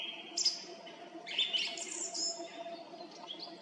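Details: A song thrush sings from a treetop by a road near Zarechny on the evening of 18 April 2021 at 18:50: bright, varied phrases, whistled notes mixed with sharper high chirps, over a low steady background hum.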